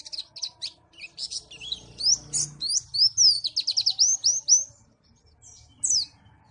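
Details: Lively high-pitched song of a white-eye (pleci) from Malang, Indonesia: rapid strings of thin descending whistled notes and chirps, tumbling quickly one after another, with a faint low hum underneath.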